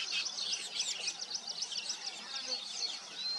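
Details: Nesting weaver birds chatter nonstop in a dense, high-pitched chorus of overlapping buzzy chirps and twittering trills, with no clear pauses, in an outdoor setting.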